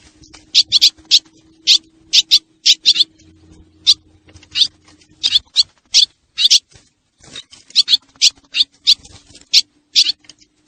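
Swallows give sharp, high chirps in quick bursts, two or three a second with brief pauses, over a faint low steady hum.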